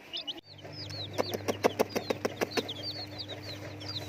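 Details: Colourful domestic chicks chirping: high, downslurred peeps scattered throughout, with a run of about ten sharp, regular tapping clicks in the middle and a steady low hum underneath.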